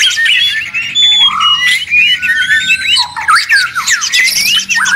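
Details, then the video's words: A very noisy White-rumped shama pours out a loud, rich song of varied, sliding whistles and quick trills, phrases tumbling together almost without a break. "Murai ribut Sangat berisik."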